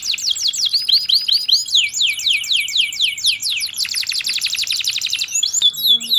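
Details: Canary in full song, rolling and sharp, in the cengkok nembak style: series of high descending sweeps, then a dense rapid rattle-like trill, ending with a few clipped whistles and a faint thump.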